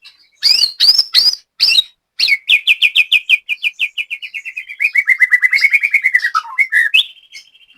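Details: Caged white-rumped shama at a bird-song practice session in Indonesia, singing loud clipped notes followed by a long rapid series of repeated slurred whistles that slide gradually lower, ending in a rising whistled phrase.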